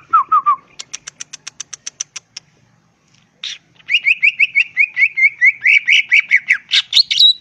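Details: Green leafbird singing energetically in ngentrok style, crest raised: three short slurred notes, a rapid series of about twelve sharp ticking clicks, a pause, then a long rolling chattering trill of repeated notes, ending in a high whistle.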